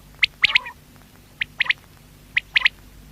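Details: Quail (batair) calling: three rounds of a sharp, high whistled three-note phrase, each a quick clipped first note followed by a close pair, about a second apart, over faint background hiss.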